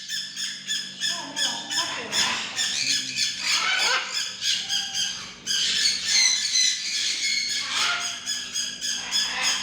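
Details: Tame macaw giving harsh, raspy squawks in rapid bursts, several per second, rising and falling in loudness across the recording with a steady low hum beneath.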